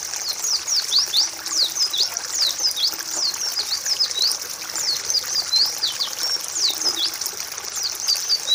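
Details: White-eye (pleci) song used as a training recording for other birds: rapid, continuous high chattering of quick downward-slurred and rising whistled notes, dense and unbroken, with faint trickling background.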